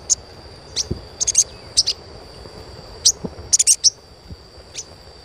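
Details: Chirps of the Asian pied starling, played to stimulate young starlings: irregular single and grouped high tweets, a tight burst of four around the middle, with a faint electronic hum beneath.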